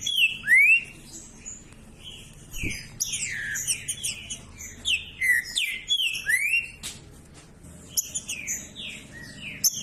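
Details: Green-winged saltator singing to warm up cold, quiet saltators: rich whistled phrases with swooping upward and downward slurs, bursts of high thin notes, brief gaps between phrases, and a soft background hum.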